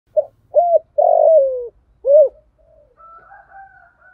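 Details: Female spotted dove used as a decoy, calling to lure and excite males in the 'giọng thổ pha' style with a single-note ending. Low coos: short note, steady coo, long rough downslurred coo, short final coo. Faint higher whistles follow.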